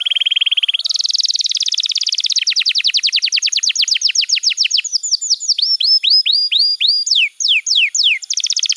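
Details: Canary master song for training young canaries: a buzzy flat trill, then a dense rattling roll slowing into rhythmic downslurred whistles, later sharper falling notes and a closing fast trill.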